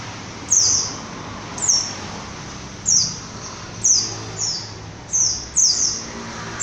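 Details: A white-eye of the type called pleci bruno gives very high, thin, sharply falling notes. Single notes or quick pairs come roughly once a second over a faint background hiss.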